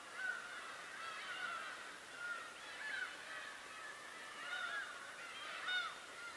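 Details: A crowd of birds at Tobishima keeps up a continuous jumble of nasal, harmonic calls with curved, sliding inflections, swelling and fading in loudness every second or so.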